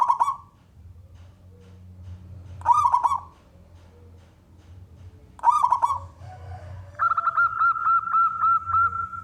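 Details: Male local zebra dove, a contest-type bird, singing to draw other doves into song: three loud rolling coo phrases spaced about three seconds apart, followed by a steady run of short hooked notes repeated rapidly.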